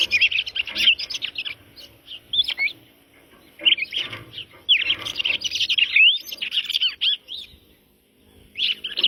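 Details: Red-crested cardinal singing rich, warbled whistled phrases in long bursts, rising and falling slurred notes run together, separated by brief pauses, with a final short phrase after a silent gap; background quiet.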